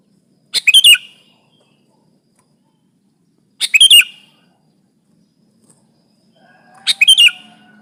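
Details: Lively sooty-headed bulbul song meant to pressure a rival bird and lure bulbuls for trapping: three brief, bubbly chattering bursts about three seconds apart, with a faint low whistle before the last.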